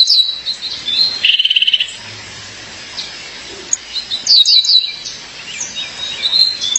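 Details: Female Violaceous Euphonia calling her mate: a fast, even trill at a lower pitch, then a burst of sharp, high descending chirps and scattered thin notes.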